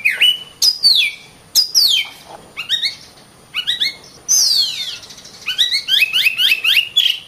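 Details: Oriental magpie-robin singing a varied phrase: falling whistles, short stepped chirp runs, and one long sweeping note that glides down from very high.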